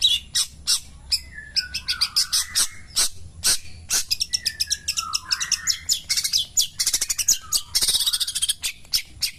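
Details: Morning song of a long-tailed shrike, a varied stream of sharp high chirps, rapid stuttered bursts and down-slurred whistled phrases, loud and close, with a dense scratchy flurry near the end.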